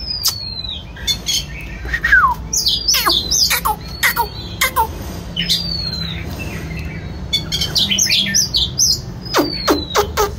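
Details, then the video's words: White-rumped shama singing while dancing: thin whistles sliding down from high pitch, mixed with sharp dry clicks and short chattering notes in varied phrases, over a low steady background hum. "choè than hót múa"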